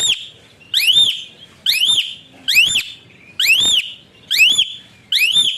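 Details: Asian pied starling, kept as a tutor bird whose whistle-like calls encourage other birds to sing: steady series of shrill, rising whistles with a hooked upward end, about one per second, delivered harshly and closely spaced.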